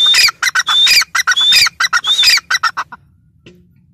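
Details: Shrill, piercing calls of a grey francolin repeat rapidly for nearly three seconds, then stop, leaving faint background noise.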